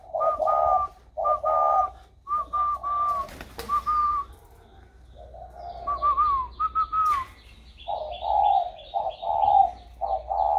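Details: Spotted dove with a newly developed warm voice, 16 February 2020: groups of low hollow coos, a quieter pause in the middle, then renewed cooing, accompanied by short sliding whistled tones and faint high chirps.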